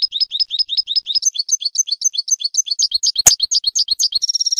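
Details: Goldfinch tutor song: a continuous run of fast, repeated twittering notes, around four per second, shifting phrase shape midway, a sharp click near the end, closing with a buzzy rattled trill.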